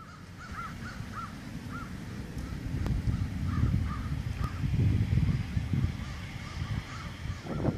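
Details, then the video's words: Sandhill cranes at their first sighting of the season on October 26, 2014, in the bosque near the Rio Grande, Albuquerque, New Mexico. Repeated rolling, bugling calls sound faintly over heavy low rumbling wind noise. "Sandhill cranes in the bosque 2014"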